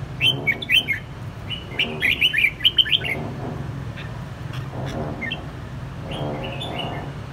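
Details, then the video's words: Red-whiskered bulbul, an escaped bird answering strongly against a caged household bulbul, giving short bright warbled phrases in bursts, several quick liquid notes each, over steady low hum and background noise. "chào mào xổng Đế Vương nay chịu cự mạnh chào mào nhà"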